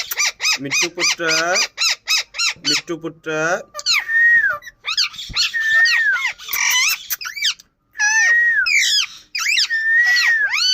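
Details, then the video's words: Indian ring-necked parakeet calling indoors: rapid bursts of harsh, ringing squawks in quick succession, then longer drawn-out whistled notes holding steady before dropping, with brief gaps between phrases. "Nachral saound parrot indian Ring"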